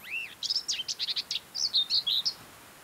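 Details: Mid-May common whitethroat on the Norwegian coast near Hustadvika: a rising-falling whistled note, then quick scratchy chips and a few clearer warbled notes in a short phrase.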